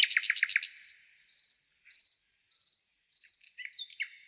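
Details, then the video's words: Nightingale singing: a loud opening burst of rapid, rattling repeated notes, then short varied phrases, over steady cricket chirps in quick groups of three or four pulses repeating throughout. "ЗВУК СОЛОВ'Я | Який звук видає соловей"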